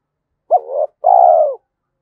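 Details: Spotted dove singing in 'giọng thổ' style (Thúc Đấu voice) suited to forest trapping; a single mellow two-part coo, short hooked opening slurring into a wavering tone, then a sustained gently falling note.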